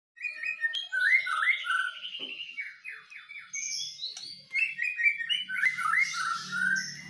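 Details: White-rumped shama duel, a Medan bird against a wild-caught Nias bird: varied, rich whistled phrases around the mid range, with quick slurred runs and chattering notes. Higher sweet whistles overlap near the end.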